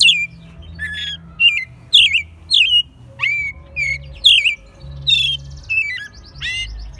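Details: Captive American robin raised from a chick, singing in Mexico City in March 2020, its second singing year and still somewhat rough-voiced; loud whistled, slurred caroling phrases come in quick bursts about twice a second over a low steady hum.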